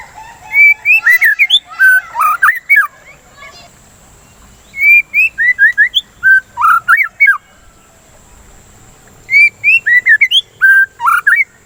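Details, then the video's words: White-rumped shama song for stimulating singing: three loud phrases of clear whistles separated by pauses of a few seconds, each phrase a quick string of rising and falling notes. "Pancingan Suara Burung dan terapi murai batu"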